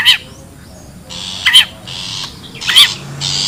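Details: Wild long-tailed shrike as a lure: sharp shrill squeaks spaced about every 1.3 seconds, followed by longer rough, hissing rasps.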